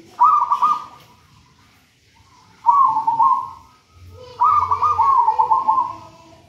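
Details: Local wild zebra dove from a nest in a banana plant, a master bird for training other doves, giving three bubbling trilled coos, each followed by a lower soft tail.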